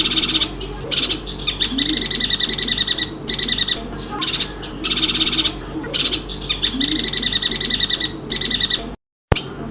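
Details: Song of a yuhina from Kalimantan: a run of grating, fast-pulsed buzzy bursts in quick succession, ending in a short silence and a click, with a faint low hum throughout.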